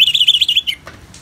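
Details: Orange-headed thrush in ngeplong therapy song with natural rain: a single quick warbled whistle phrase, fluttering high then dropping, followed by a faint click and soft background hiss.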